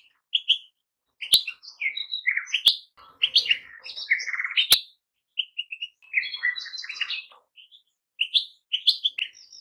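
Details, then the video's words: Goldfinch twittering song in busy, uneven bursts of chirps and short buzzy trills, with several sharp click sounds and a faint rustle. "Goldfinches - amazing song"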